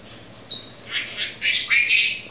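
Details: Pet Senegal parrot, female, indoors showing off her newest word "squeaky"; a faint high note, then several loud harsh squawks and screechy vocal bursts in quick succession over low room hum.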